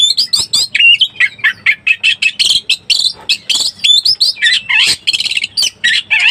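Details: Oriental magpie-robin in breeding condition, a recording used as a lure to excite other birds: a rapid, nearly continuous stream of short, varied, high whistled and chattering phrases, several notes each second, with sharp rising and falling slurs.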